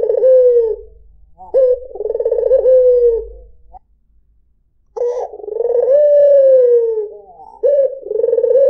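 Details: White dove cooing melodiously to attract other birds: long, throaty rolling phrases with a falling tail, a pause of about a second, then more drawn-out coos.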